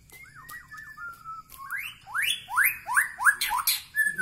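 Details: White-rumped shama of the Medan Bahorok type singing: a few thin wavering whistles, then a run of loud rising sweeps repeated roughly three per second, with a higher buzzy phrase near the end.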